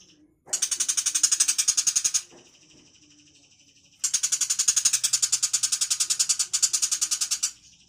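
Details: Long-tailed shrike of the tiger-type 'cendet macan' form, described as very rare and nearly extinct: two long bursts of harsh, rapid rasping chatter, with a steady high thin whine continuing behind and between them.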